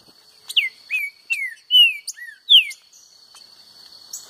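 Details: Green-winged saltator (trinca-ferro) singing against a free-living rival: a phrase of five or six loud, slurred, descending whistled notes about half a second apart, with a steady high electronic tone in the background.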